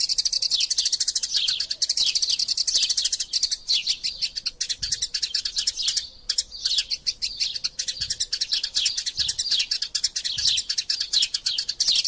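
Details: Eurasian tree sparrows in a fight, recorded as a tutor track for training songbirds: dense, unbroken rapid chirping high in pitch for twelve seconds, with several brief pauses, including a near gap around six seconds.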